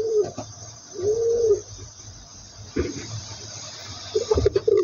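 A pigeon gives soft, low cooing notes, one long rounded coo followed later by a quick run of throaty pulses, with faint indoor background noise.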